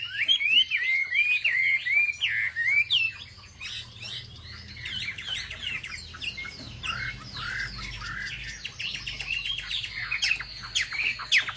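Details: Wambi song used to stir up other wambi birds: an opening burst of fast twisting whistles, followed by a long run of varied scratchy twitters and chips, with a faint low rumble beneath.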